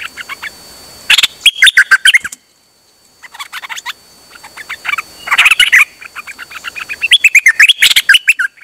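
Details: Songbird recorded on 8 September 2023, singing nonstop: rapid bursts of sharp chirps and twittering notes, some rising, in three phrases separated by short pauses, with a faint steady high whine in the background.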